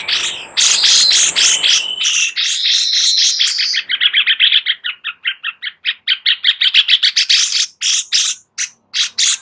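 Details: Sooty-headed bulbul, song for tutoring white-rumped shamas: dense scratchy warbling that turns into a long series of quick, evenly spaced sharp chips, about four per second.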